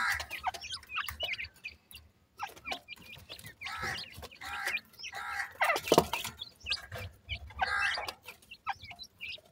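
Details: Francolin chicks, local name dakhni teetar, crossing and playing in the morning: dense overlapping chirps and short rising peeps, several birds calling at once in quick irregular bursts, with soft clucking notes and low background rumble.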